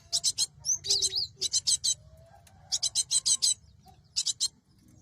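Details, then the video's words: Lure recording of a cinereous tit for catching birds: clusters of sharp buzzy high notes, a brief twittering whistle between them, and a low background murmur. "Suara Burung gelatik batu"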